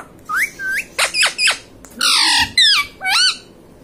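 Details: Ringneck parrot kept as a pet, mimicking 'mummy papa': quick succession of loud, rasping, speech-like syllables with rising and falling inflections, about eight bursts in under four seconds.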